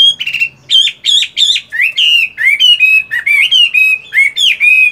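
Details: Chinese hwamei kept caged as a fighting bird, practising its song one morning while moulting: buzzy, stuttering opening notes, then a steady stream of loud, clear whistles that slide up and down.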